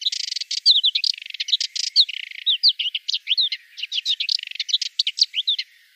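A Subalpine warbler sings a fast, scratchy warble of dry chattering notes mixed with sweet, slurred whistles, pouring out continuously for six seconds.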